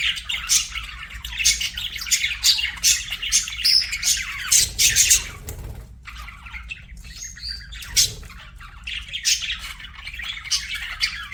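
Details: Budgies chatter in bursts of quick scratchy chirps and squawks, with a short pause near four seconds and a quieter gap around six before the busy warbling resumes.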